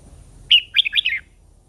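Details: One crisp phrase from a red-whiskered bulbul, with an old wild female goading a male into song: a sharp opening whistle followed by a quick run of bright, slurred, dropping notes.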